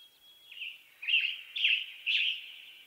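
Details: Western tanager singing. Faint notes come first, then three loud, raspy, slurred phrases spaced roughly half a second apart, each with a husky, burry tone.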